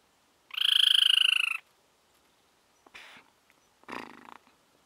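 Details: Pale-bellied tapaculo (Scytalopus griseicollis), endemic to Colombia: one loud, nasal, buzzy note about a second long, gently falling in pitch, then two brief, harsher scratchy bursts.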